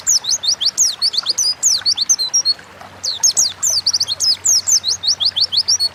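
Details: Energetic Oriental white-eye song in ngalas style, recorded to stimulate other birds to sing: dense high twittering of quick, descending slurred chirps, broken by one short pause, continuing steadily to the end.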